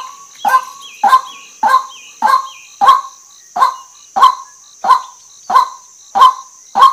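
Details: Eleven harsh croaking notes from a female white-breasted waterhen, spaced slightly unevenly about 0.6 seconds apart. Brief high chirps and a steady shrill insect-like hum sit in the background.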